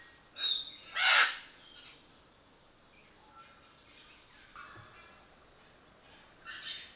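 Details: Sulphur-crested cockatoo at Belgrade Zoo, Serbia, recorded in August 2022 on a Panasonic AG-CX350 camera: one loud, harsh, broadband screech near the start, with fainter short chirps before and after and a closing squawk.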